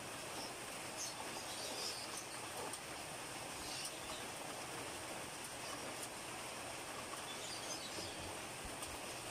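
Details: Steady hiss of rain or rushing water fills the recording, with no clear animal call.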